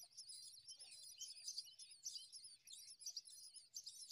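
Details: Morning scene of a common myna feeding its newborn young: continuous shrill, quavering high chirps pulse in short surges about every half second, with a soft low background murmur.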